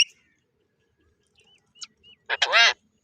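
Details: A pet parrot, being called by its owner to come out, gives a few thin chirps and brief whistles, then one loud, harsh, raspy squawk near the end.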